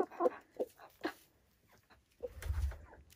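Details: Silkie chickens on a small homestead in the Vermont hills: a few short, throaty clucks in quick succession near the start, then a pause, followed by a low rumbling noise toward the end.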